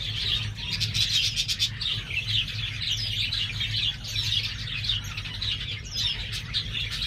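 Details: Captive pure-bred star finch fledglings just out of the nest at a hobby breeder's: busy stream of sharp, high chirps and rapid ticking notes from a group of birds, steady mechanical hum in the background.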